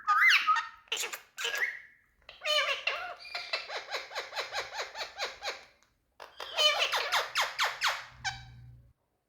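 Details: Talking parrot uttering a few loud squawks, then a long steady series of short, evenly spaced chattering notes, a pause, and another quickening rattle of notes, with a faint low hum at the close.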